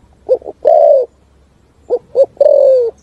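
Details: Spotted dove's full song ringing through forest: two quick short coos leading into a long drawn coo, twice, with slight low background noise.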